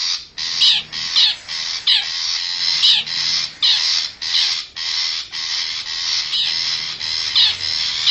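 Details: Long-tailed shrike of the forest, a lure call for attracting wild birds: dense, scratchy bursts run almost continuously, broken by brief gaps, with occasional higher squeaky notes mixed in.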